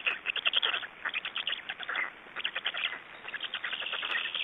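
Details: At a nest in Estonia on 26 May 2012, young black storks beg while being fed, giving fast, scratchy, repeated pulses in uneven clusters, with a few higher squeaky notes mixed in.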